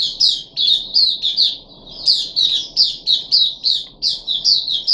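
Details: Puff-backed bulbul in a cage on day three of deworming, July 2021: loud, rapid, slightly harsh high chirps in bursts of two or three, with brief pauses between bursts.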